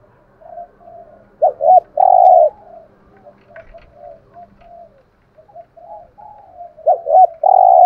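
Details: Spotted dove decoy with a prized 'thổ' voice, used to make wild doves coo quickly. Soft murmuring coos run between two loud phrases, each a quick doubled note and then a long rich coo.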